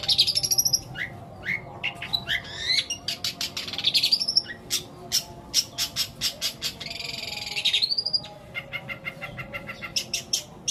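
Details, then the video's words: Long-tailed shrike running through a lengthy fill of sparrow, petir and kuntilanak imitations intended to get quiet shrikes singing; varied mix of rising whistles, dry rattling trills and rapid clicking notes, changing phrase every second or two. "CENDET ISIAN GREJA PETIR KUNTILANAK COCOK BUAT PANCINGAN CENDET MACET BUNYI"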